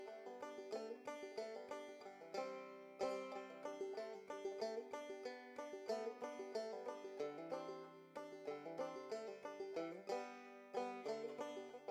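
Bright plucked banjo music plays throughout, with quick rolling notes and no animal voices heard.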